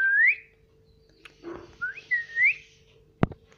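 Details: A pet Indian ringneck (rose-ringed) parakeet, a talking "mithu" said to say "mummy", gives clear, rising whistled notes indoors: one sweeping phrase, then two more in quick succession, with a soft rustle and a sharp click.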